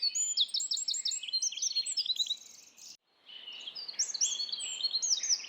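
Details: A Eurasian wren in Estonia sings a loud, fast, high-pitched run of sharp notes and rattling trills in two bursts split by a brief pause, over faint background hiss.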